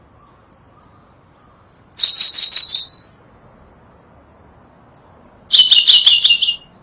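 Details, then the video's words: Sunda blue robin, endemic to Java and Sumatra, used as a tutor song: two bright, rapid chattering phrases about a second long, spaced some three seconds apart, each introduced by thin high notes. "Berkecet biru, burung unik dengan kicauan merdu"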